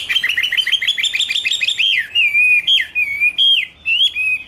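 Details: Chinese hwamei, 2016: rapid repeated chopped notes for about two seconds, followed by looping, ringing whistles delivered in separate bursts with short gaps.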